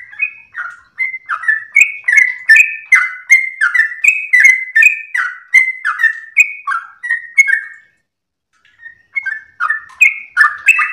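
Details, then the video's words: Yellow-vented bulbul ropel song, melodious and long-breathed, for master and lure use: a brisk chain of bubbling whistled notes for nearly eight seconds, a brief pause, then a renewed burst rising to louder, higher notes. "trucukan gacor lagu MERDU ropel nafas panjang"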